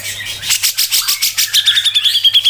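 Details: Grey-cheeked bulbul (cucak jenggot), a tutor recording in fast, tight 'ngepik' style: pulsed harsh chatter gives way to a quick, regular series of bright, high ticking notes, about eight per second, with a faint hum beneath.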